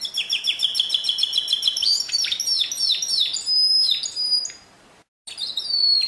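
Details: Canary in pure song, 2016, with quick repeated downward-sliding chirps, long steady whistles, a short silence, then more high sliding notes.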